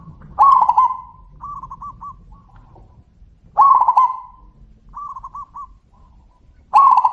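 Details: Zebra doves answering one another, three loud purring, bubbling coos spaced about three seconds apart, each followed by a quieter, clipped, stuttering reply from a second bird.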